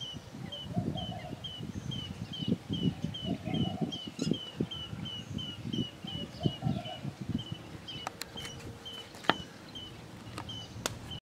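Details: Green bee-eater: a short, clear, high note repeated steadily about twice a second throughout, over a background of low rumbling noise, with a few sharp clicks near the end.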